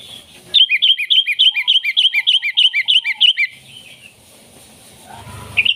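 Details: Lively, loud sooty-headed bulbul song used as a lure for wild bulbuls and as a master song for training: a fast run of about sixteen bubbling, chirping notes, repeated quickly and evenly, then fading to a quiet background.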